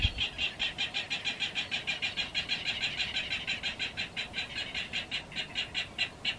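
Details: Clapper rail in a salt marsh along the Delaware Bay, New Jersey, where babies and juveniles were feeding on grasshoppers, gives a long, even series of harsh, dry clicking notes, about four per second, fairly high-pitched; the call sounds like laughing.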